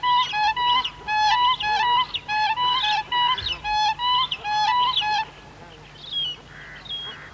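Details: Siberian cranes, adults and young, give clear, flute-like whooping calls in quick overlapping bursts, rising and falling, with softer honking of bar-headed geese behind.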